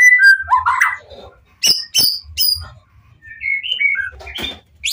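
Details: White-rumped shama song used to provoke other shamas into answering: scattered whistled notes and sharp high chips with short gaps, some rising phrases near the end, low hum underneath.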